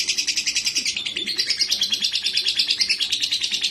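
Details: Lovebird in breeding condition, a sound used to lure and test a fighter bird: dense, rapid, shrill chattering of buzzy high chirps, pulsing several times a second without pause, with a faint low wavering tone underneath.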